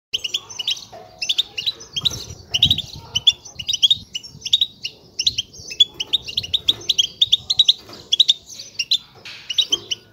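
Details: European goldfinch chicks beg with rapid, high, thin chittering notes in busy, almost unbroken bursts over faint low rumbles; the begging is used to stimulate adult males to sing.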